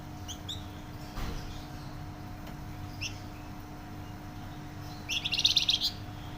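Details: Loud, chatty flamboyan bird: scattered thin high chirps, then a bright, fast, high-pitched trilled burst near the end, with a constant low hum behind.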